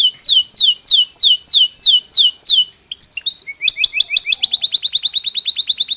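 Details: Belgian canary singing naturally: a row of clear descending whistles, about three per second, breaks into chattering notes, then a quickening staccato trill of rapid repeated pips.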